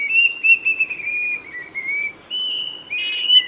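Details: Plaintive cuckoo singing a loud, clear whistled song: drawn-out notes that slide and step downward, then higher notes that climb near the end, over a steady high-pitched insect drone.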